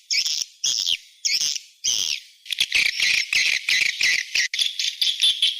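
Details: Swiftlet calling sound, 'SP Seruling Sakti' version, used to attract swiftlets to a bird house: harsh, buzzy high chirps in separate bursts at first, then packed into a near-continuous churring chatter.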